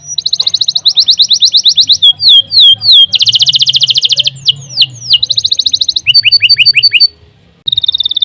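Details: Canary in long, lively gacor song used for masteran: fast repeated buzzy trills and rattles, high downslurred whistles, rapid chip series and sharp sweeping notes. Phrases change every second or so, with a soft low hum beneath.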